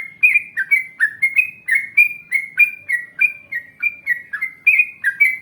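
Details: Yellow-vented bulbul singing vigorously in a long ropel style to prompt other bulbuls to answer. A dense, continuous stream of loud, liquid whistled notes jumps between higher and lower pitches several times a second.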